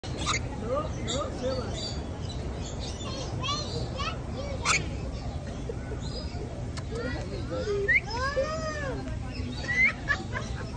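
A rainbow lorikeet says hello in a raspy, speech-like voice, with a few rising and falling whistled notes, over steady background hiss and household noise.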